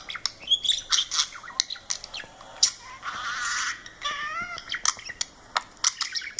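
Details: A pet budgerigar (snowy) chatters in quick high chirps, squeaks and rolling warbled notes, apparently while watching a video of himself.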